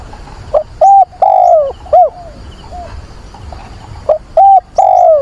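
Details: Caged decoy dove cooing to call for a mate on 24 September in wind and rain: two phrases of four low, hollow notes, a short note, two level coos, then a long drawn-out falling coo, spaced about three seconds apart.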